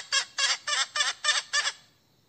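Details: Hen calling for a rooster: six harsh, buzzy cackling notes spaced roughly every quarter second, then silence.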